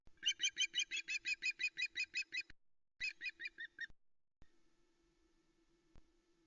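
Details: Female osprey shouting on the Loch Arkaig nest in the Arkaig Community Forest, nest cam, afternoon of 26 August 2020, as the male arrives with a second fish: a fast run of sharp whistled notes, a pause, then a shorter burst.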